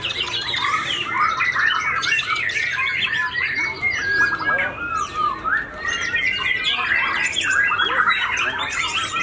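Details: Captive white-rumped shama, a white-tailed fighter bird just finished moulting, singing in a loud, busy stream of varied whistles, chattering phrases and rapid trills that run without pause, with crowd-like background noise.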